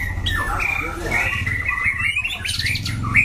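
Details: White-rumped shama, a caged competition bird noted for a loud, harsh voice and changing phrases, giving sustained whistled notes and slurred phrases over a steady low hum.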